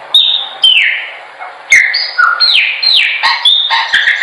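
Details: A chopi blackbird sings a training song: a rich run of clear, loud whistles, falling slurs and sharp chips, packed with little pause between phrases.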